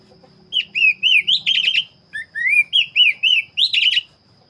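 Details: An Oriental magpie-robin of the black-breasted form sings steadily, with rich whistled notes rising and falling in quick succession, trills, and sharp flourishes, in two long phrases separated by a brief pause, over a faint low hum.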